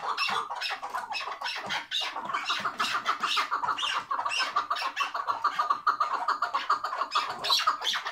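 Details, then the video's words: Tethered chukar partridge giving the hıngırma: rapid, fowl-like clucking notes in an unbroken chattering stream, steady and rhythmic. "Keklik Hıngırması Süper Bağlı keklik sesi"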